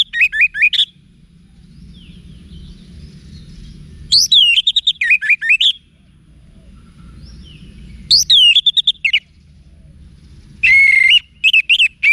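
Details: Orange-headed thrush song played to make caged birds respond. Four separate bursts of loud, varied whistled notes come roughly every four seconds, with slurred, chattering and sweeping notes in each. Quiet gaps with a low hum fall between them.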